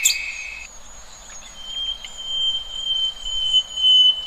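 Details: Free-living birds in nature: a brief burst at the start, then long drawn-out high whistles held steady for several seconds, with faint chirps in between.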